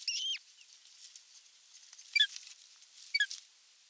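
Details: An osprey at a Finnish nest during an evening meal on 30 June 2022 gives high, thin whistled chirps: one loud opening burst, then two quick falling series of piping notes about a second apart, over a quiet background.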